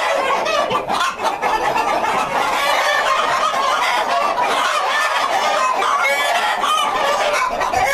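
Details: Breeder flock of feather-legged Partridge Cochin standard chickens with brown and black feathering, many birds clucking and squawking at once in a continuous dense din, with occasional louder cackles rising above.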